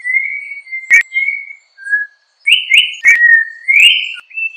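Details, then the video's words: Yellow-backed Oriole (Icterus chrysater) song: long, pure whistled notes, some held level and others sliding upward, paused and then resumed. Two loud clicks break into the phrases. "Turpial Toche Canto - Yellow-backed Oriole Bird Song - Icterus Chrysater"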